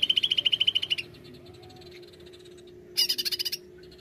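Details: Greater green leafbird calling, used as a lure: a quick, high chattering trill of about a dozen notes, then a shorter, even higher burst, over a steady low hum.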